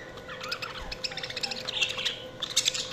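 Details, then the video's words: Budgies warble and chirp in quick succession, with soft gurgling notes and a few piercing high chirps near the end, over a low steady hum. "Budgies Chirping sound"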